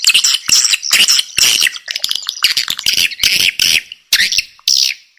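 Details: Swiftlet lure call used to attract swiftlets: dense bursts of sharp, buzzy chirps and rapid clicks, bright and high-pitched, in irregular groups roughly twice per second.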